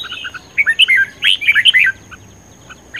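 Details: Red-whiskered bulbul singing in a competitive, fired-up mood: a rapid run of loud liquid warbling notes sweeping up and down, preceded and followed by softer short chirps, over a constant faint high hum.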